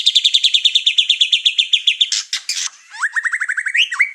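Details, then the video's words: Over-excited white-rumped shama showing off its learned repertoire, making the other birds in the house go wild; a rapid, regular train of high repeated notes, a harsh burst, then quick upswept whistles ending in a long slur. "Murai Batu Over Emosi Bongkar materi Malah bikin ngamuk burung serumah"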